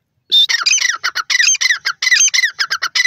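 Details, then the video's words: Grey francolin (teetar), Dakhni teetar call style: loud, rasping, rhythmic squawks in fast repeated phrases that break briefly and restart, with no other sounds. "grey francolin Teetar ki awaaz dakhni teeter"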